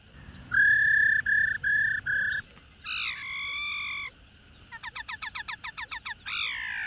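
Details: Old wild-caught female black-throated laughingthrush calling to stimulate males to sing. First come four flat whistled notes, then a longer buzzy harmonic note, then a fast series of short rising chirps, ending with a sweeping downward note.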